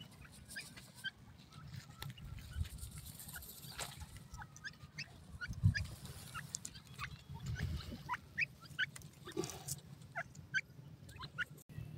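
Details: Grey francolin chicks calling in a forest, giving short, thin, high peeps scattered irregularly through the recording over a steady low rumble of background noise.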